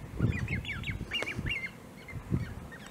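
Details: Great crested grebe with young at De Gouden Ham, Maasbommel, on 1 August 2018: thin whistled piping notes, several quick downslurred and upslurred peeps in a burst, then scattered single notes over low rumbling background noise.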